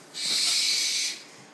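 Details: Captive tropical screech owl chicks, unable to see, turning toward a voice that calls them; one breathy, broadband hiss lasting about a second, steady and even, with nothing else audible.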